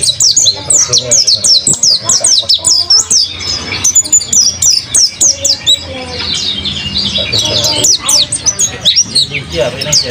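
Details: A captive mountain white-eye in full active song delivers fast, dense runs of sharp high twitters and downslurred chirps over ten seconds, pausing briefly mid-way, with faint low background noise.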